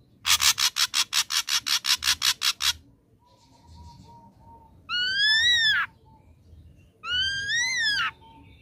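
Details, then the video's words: Ashy drongo song used as a lure to draw a response from young birds. A rapid train of about a dozen sharp buzzy pulses opens, then come two loud, clear whistled notes that rise and fall, each about a second long. "Pancingan Ampuh Srigunting Abu Bakalan Respon"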